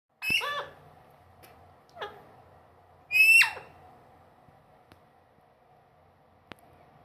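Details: Pet parrot in a house, said to talk, uttering loud harsh squawks with bright downward-sweeping harmonics, one short call between two longer ones, then quiet room hum and faint clicks.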